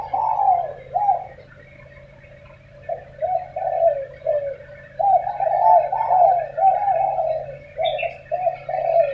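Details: Spotted doves calling back and forth in the morning, said to be arguing: loud, soft-toned coos in quick, uneven runs, one after another, with a short pause before the series resumes; faint low hum behind.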